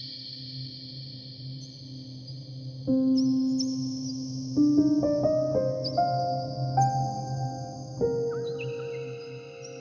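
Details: Soft piano and keyboard music with sustained tones and stepped chords over a low hum, and no animal voices heard.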